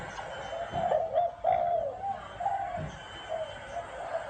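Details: Spotted dove cooing in the 'gáy gù' style: soft, low, hollow coos in short grouped phrases with brief pauses, against a faint background hiss.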